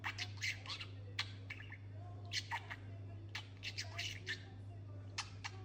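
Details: Domestic talking budgerigar, one of a pair learning words, chatters in rapid scratchy syllables and sharp clicks, uneven rhythm, over a persistent low-pitched hum.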